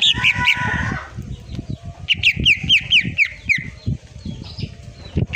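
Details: Cucak ijo masteran recording in full tembakan style: a run of about six quick, sharp descending whistled notes in the middle, with clucking fowl-like sounds and low background noise throughout.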